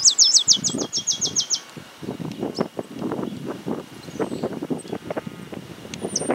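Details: Stripe-capped sparrow in woodland in Santa Fe, Argentina, giving a song of whistles and trills: a quick, high trill of about eight repeated notes, then silence, with low rustling and wind-like noise for the rest.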